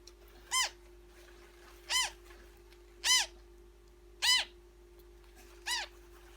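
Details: Newborn African grey parrot chick being fed, giving rasping harmonic calls that arch up then down, repeated roughly every second and a half, over a steady mechanical hum.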